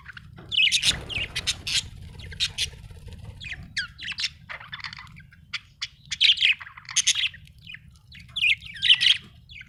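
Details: Budgerigar chirping: sharp clicks and squeaky notes in irregular bursts, then denser raspy warbling toward the end, over soft low background noise.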